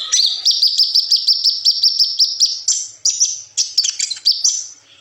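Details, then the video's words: Kolibri ninja sunbird song for tutoring young cage birds: a steady run of high, evenly spaced chips for over two seconds, then sharper varied twittered phrases. "suara burung koLibri ninja super gacor"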